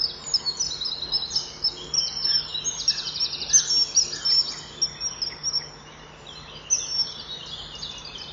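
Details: Common kingfisher (Alcedo atthis) pair at a nest-wall burrow at 07:41 in late May, male flying out to mate with perched female, gives a rapid string of shrill, high, piercing whistled notes, several per second, over a faint low hum.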